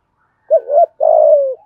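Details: Spotted dove cooing to provoke a rival male: a short arched coo followed by a longer, slightly buzzy, level-to-falling coo, low-pitched and clean with no other sounds.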